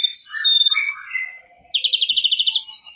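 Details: Mangrove whistler in clear song on a tutor recording for training songbirds: mixed chirps and warbling notes, then a rapid, even trill of high repeated notes lasting almost a second.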